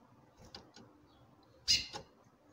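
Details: A female chestnut-bellied seed finch (curió) calls often, over 10 calls a minute, to draw the male's song: a few short, sharp, high chip notes, one louder and emphatic, over a quiet background.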